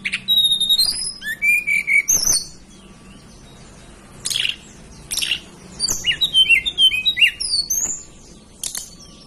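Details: Hill blue flycatcher from the mountain areas of Banten and West Java, Indonesia, delivering high sweet whistles that fall in pitch, then after a gap a fast run of rising and falling twittered notes, with scattered sharp clicks.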